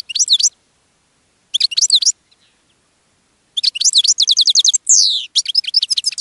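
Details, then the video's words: Caged European goldfinch sings to attract other goldfinches: bright, high, tinkling twitters in quick bursts, with rapid trills and one slurred, buzzy downward note between short pauses. "GOLDFINCH SINGING in a Cage and Attracting Other Goldfinches"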